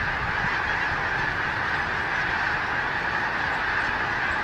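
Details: Thousands of snow geese wintering in Delaware circle Gordon's Pond at Cape Henlopen State Park in late December after being scared up; constant, intense clamor of nasal honks blending into one loud, even roar.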